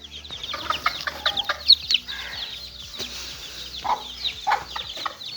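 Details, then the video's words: A flock of little chicken chicks playing peeps in bright, high chirps, some louder and sharper, with a few soft lower clucks. "little chicks playing"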